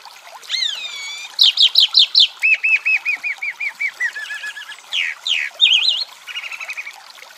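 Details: Chalk-browed mockingbird song from Brazil: a long varied medley of repeated arched whistles, series of looping notes, sweeping slurs and a short buzzy trill, each motif repeated several times.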